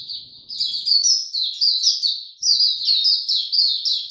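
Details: Caged white-eye (mata puteh) given no supplements, recorded 29 April 2022, in its opening song: a fast stream of high, sweet chirping notes rising and falling, with one brief pause midway and a clean, quiet background.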